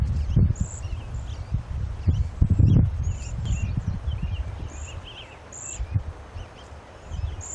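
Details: Cedar Waxwings in Spokane, Washington, on 8 June 2006, giving very high, thin, lisping whistles, a few each second, over low rustling and thumping nearby.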